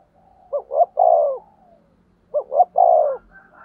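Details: Cooing decoy spotted dove meant to lure wild doves: two-note pickup then a sustained falling coo, repeated twice, with a faint higher call from another bird at the end.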